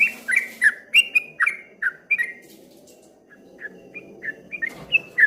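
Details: Streak-eared bulbul in ropel ngombak banyu song, a fast burst of loud, slurred whistled notes, then a brief pause and a softer, quicker run of similar chirps.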